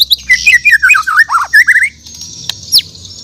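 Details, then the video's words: Morning song of a Bornean White-rumped shama: a rapid, tightly spaced string of looping, warbled whistled notes for about two seconds, then a pause and one high upslurred note, against a constant high-pitched background hiss. "The Best Bird Singing In The Word || Murai Batu Borneo"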